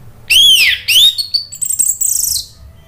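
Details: Orange-headed thrush (anis merah) song played as a lure to make a silent bird answer and sing continuously: two loud arched, slurred whistles, then a scratchy, high twittering run.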